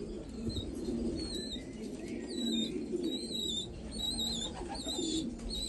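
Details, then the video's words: Black Afghan pigeons in Afghanistan giving low, murmuring coos that overlap in a steady rumble, while thin high whistled chirps from other birds ring above at intervals, indoors. "کفتر های مشکی افغانی"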